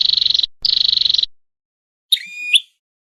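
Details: Flowerpecker sound used as a lure for trapping: two rapid buzzy pulse trains, each about half a second long, then a single drawn-out nasal, metallic note, followed by silence.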